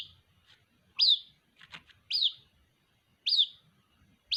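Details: White-breasted waterhen chick calling its mother: sharp, high peeps that flick upward then slide down, three loud ones about a second apart and a fourth starting at the end, with faint softer notes between.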